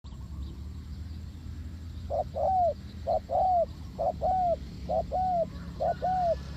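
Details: Spotted dove calling, as used to lure doves into a trap: after two quiet seconds, four paired phrases, each a short coo followed by a longer arched, falling coo, roughly one per second, over a steady low hum.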